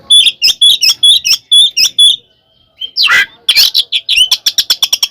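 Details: Fighting song of an oriental magpie-robin, used to provoke other birds: a run of repeated sharp two-part chirps, a brief gap, a harsh rasp, then an accelerating series of crisp notes.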